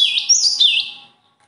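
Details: A bird sings a brief phrase of bright, high whistled notes that step down and back up twice, loud at first and then trailing off into silence after about one second.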